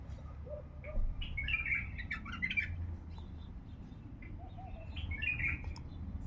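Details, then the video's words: A mixed bulbul from Baghdad, said to have a heavy, rough voice, gives two bursts of bubbling, warbled phrases, each about a second long and separated by a pause, with a few low mellow notes, over a steady low hum. "بلبل مخلف حنجره ثكيله"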